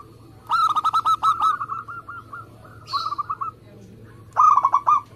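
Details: Local zebra dove, perkutut lokal, in fast tight gacor cooing used to prompt other doves to sing: three bursts of rapid, mellow, low pulsed coos, each a quick rolling series, with a faint low hum behind.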